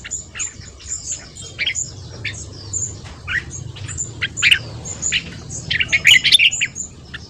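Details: Red-whiskered bulbul singing in the morning in the fast ché style, used to train and rouse newly caught birds: bursts of short chattering, warbled notes, with thin high whistles from other birds throughout and a low background hum.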